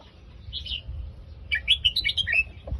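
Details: Red-whiskered bulbul, Phetchaburi-line song: a short soft chirp, a pause, then a fast warbling phrase of six or seven sweet whistled notes stepping up and down, ending with a low thump.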